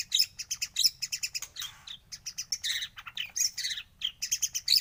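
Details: White-rumped shama in a morning trigger recording: dense, high, buzzy chattering notes delivered in quick rhythmic pulses with brief breaks, over a faint low hum.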